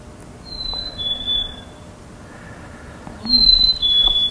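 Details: Black-capped Chickadee singing its 'sweetie' song, given from this time of winter to attract a mate and claim territory: two clear, pure whistled phrases, each a high note sliding lower, about three seconds apart, over faint hiss.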